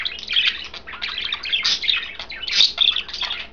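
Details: Caged pet budgerigars, a green, a blue and a white bird, eating kale and chattering; overlapping bright warbles and squeaky chirps run continuously in quick bursts.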